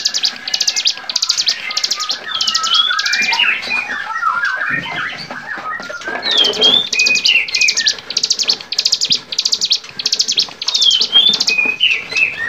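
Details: Bar-winged prinia singing on a songbird training recording: long runs of strong, buzzy, high notes repeated steadily, broken by a short gap. Other birds add sliding whistles and chatter in the background.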